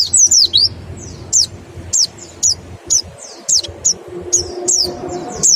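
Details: White-eye singing in the rapid 'nembak' style, used as a lure to stimulate other birds to sing: high, thin, steeply falling whistled notes in short bursts, about ten phrases with brief gaps, faint low background hum.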